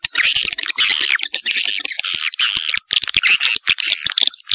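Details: Vietnam-style 'janda' swiftlet lure: loud, squawky, scratchy twittering in long runs, dotted with clicks and a couple of short breaks.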